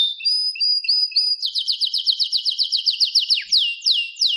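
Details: Canary singing: a few long whistled notes, then a fast run of repeated downward-sweeping chirps, ending in slower, wider descending slurs.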